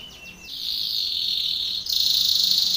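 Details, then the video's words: Belgian canary contest training song, heard as a few quick descending chips that lead into a steady high buzzing trill, which brightens and intensifies near the end. "canary training song for contest / canto Canário belga cantando"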